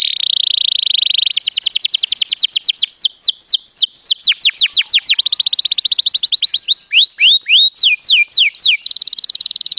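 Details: Canary song meant to teach chicks, opening with a steady buzzy trill, then a long string of fast repeated downward-slurred whistles slowing into looping sweeps, ending with another buzzing trill. High, bright and continuous.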